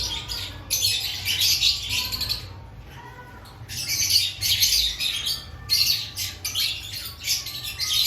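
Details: Lovebirds in an aviary before breeding season: loud bursts of shrill, raspy squawking chatter lasting one to two seconds, broken by brief quieter gaps, over a low hum.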